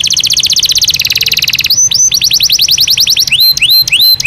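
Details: Belgian canary singing naturally: a fast, even buzzy trill that drops in pitch partway through, then a run of sharp upswept whistled notes, ending in paired clear whistles with rising slurs.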